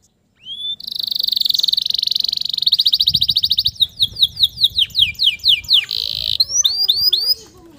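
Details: Male canary song to stimulate stressed canaries back into singing: a long sustained buzzy trill, then slower rolling notes, descending swoops, a harsh buzz and a few rising whistles.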